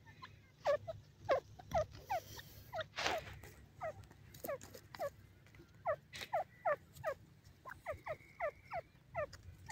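A francolin gives a rapid series of sharp, rising, squeaky notes, several each second, with brief pauses between bursts, over a low steady hum.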